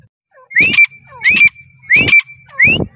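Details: Partridge (teetar) giving four loud rising whistled notes, each ending in a sharp clipped accent, evenly spaced about two-thirds of a second apart over a faint steady tone and low hum.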